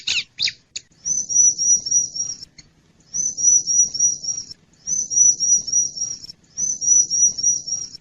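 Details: Lure call of a wild Bar-winged prinia, used to attract wild birds: a few sharp chirps, then four high, thin trills of fast repeated notes, each about 1.5 seconds long, separated by short pauses.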